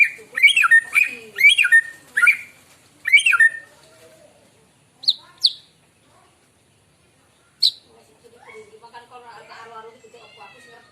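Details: Morning white-rumped shama song used for luring birds: four loud swooping whistled phrases, then scattered sharp high notes, followed by a soft chattering twitter near the end.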